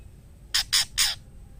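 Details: Female white-rumped shama calling the male to mate, heard here as three loud, harsh, hissing rasps in quick succession with no whistled notes.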